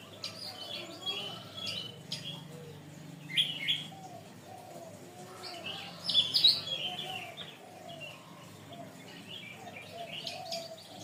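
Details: Long canary tutor song for training birds: scattered soft chirps, then two loud bursts of bright whistled and trilled notes, over a faint low murmur.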